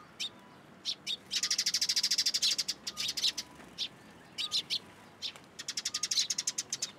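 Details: Sparrows at a Tenmangu shrine on 14 April 2023, coming onto a hand to take food: bright, high chirps in quick bursts, including a long rapid run of about twenty notes in the middle and another fast series near the end.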